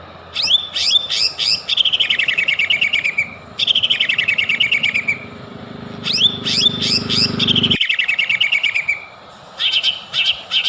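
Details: White-rumped shama singing as a lure to provoke rivals: bursts of sharp rising whistles followed by long, rapid buzzy trills, the phrases separated by short pauses, with a low background hum that cuts off partway through.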